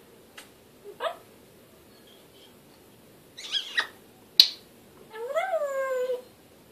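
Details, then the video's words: African grey parrot talking: a few dry clicks and crackles, a sharp snap, then a long nasal call that starts high and slides steadily downward, rich in overtones, over a quiet room. "African Grey parrot, talking"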